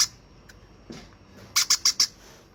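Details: Hand-fed baby conure giving a quick run of four sharp, high chirps in close succession after a quiet, faint start.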